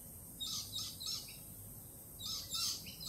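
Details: Lorikeets stay nervous following a Peregrine Falcon attack earlier that week; fairly soft, high rasping squeals come in two clusters of quick notes, with a constant low hiss behind.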